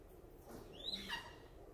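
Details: Captive Red-shouldered Hawk, blind in one eye and unable to be released, at a raptor show in Waycross, Georgia, on 5 October 2017, gives one brief, high, slurred scream that drops in pitch, over steady background murmur.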